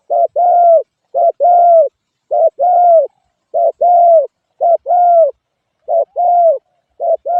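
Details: Spotted dove giving a steady series of two-part coos: a brief clipped note then a drawn-out, gently descending coo, repeated about once a second, cleanly recorded against silence.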